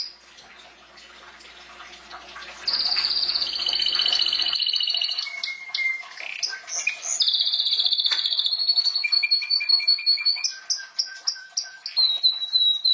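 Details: Domestic canary song beginning after quiet background: loud high rolling trills, short whistled notes at several pitches, and a final series of repeated high chips.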